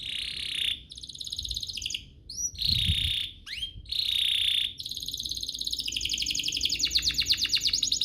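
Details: Canary lure song for drawing other canaries to sing, with dense buzzy trills broken by brief upward slurs and ending in a long, fast, rhythmic rattle. Faint background hiss throughout.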